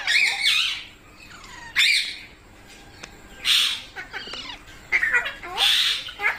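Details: Parrot kept as a pet giving loud, harsh squawks in separate bursts about a second long, spaced by softer chattering and short clicking notes.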